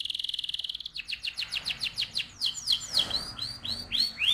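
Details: Canary song meant to excite the male and prepare the female for breeding: a fast, even buzzing trill gives way to a series of sweeping, slurred whistles that repeat about three times a second, with a quiet low hum underneath.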